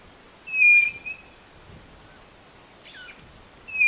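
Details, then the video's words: Brazilian northeastern quail, the White-bellied nothura, giving a steady flat whistle. A second whistle begins at the very end, and a brief call from another bird falls between them. "CANTO da CODORNA do NORDESTE"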